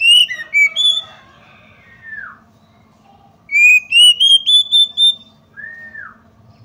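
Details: Calls of a female Oriental magpie-robin meant to anger males: short whistled phrases, a falling slurred note, then a steady series of five or six rising whistles and another downward slur.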